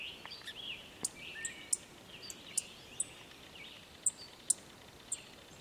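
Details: Frantic song sparrow searching for a young bird to feed, giving sharp, high, clipped chip notes, about seven spaced irregularly across a few seconds, over a faint steady hiss of background noise.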